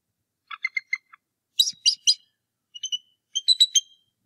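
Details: Bald eagle near its nest, Decorah North Nest, 2 March 2018: an angry, determined adult male drives off an intruder in the morning. Short clusters of thin, piercing chips, four quick bursts with brief gaps.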